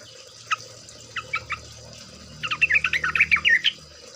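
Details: Trucuk (sooty-headed bulbul) singing on a lure track used to make trucuk birds sing: a few scattered short chirps, then a fast burst of bubbly, chattering notes in the second half; faint low background hum.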